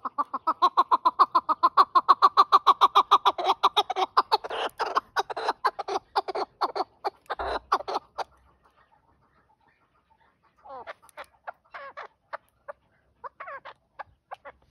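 A chukar partridge gives a fast run of harsh, clucking chuk notes, about three a second, for eight seconds, then scattered softer calls after a pause.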